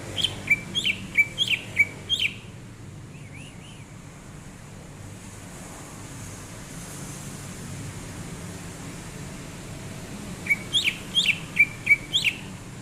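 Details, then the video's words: Relaxed greater green leafbird, January 2022, opening with a rapid string of sharp whistled chirps, then a soft wavering whistle, a long quiet stretch of steady rumbling noise, and another fast burst of bright chirps. "Kicauan Cucak Ijo saat nyantai"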